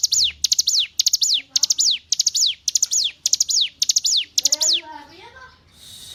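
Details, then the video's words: Hill prinia song recorded as a model for captive songbirds: repeated piercing phrases of fast ticks ending in a downward slide, with faint lower warbled notes from another bird near the end. "Masteran Ciblek Gunung"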